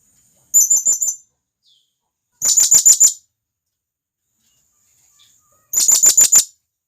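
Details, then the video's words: Blue-crowned hanging parrot, a wild forest bird, calling to companions with three rapid strings of thin, shrill notes; the first string is softer, the next two louder and brisker, spaced roughly two to three seconds apart. "Serindit Gacor,Masteran Burung Serindit Ampuh"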